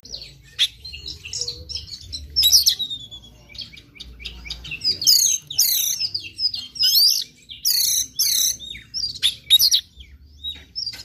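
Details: Morning white-rumped shama song used to stimulate a bird to sing: rich, varied whistled phrases, loud swooping notes and rapid chattering bursts repeated in quick succession, high-pitched throughout with brief pauses between phrases.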